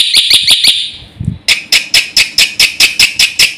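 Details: Black-winged myna delivering its vigorous filler song, used to rile other birds: a quick run of piercing notes, a short gap with a low thud, then evenly spaced strident calls roughly three per second.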